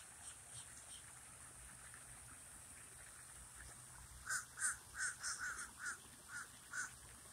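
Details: Common raven at a lake, quiet at first, then bursting into a run of about nine short hoarse notes, quick and slightly uneven, over soft background noise.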